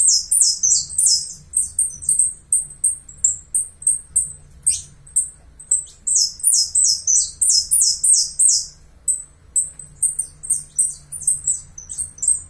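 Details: A long bout from a Uruguayan saffron finch alternating strings of shrill chips with rapid runs of bright, descending slurred notes, very high-pitched throughout.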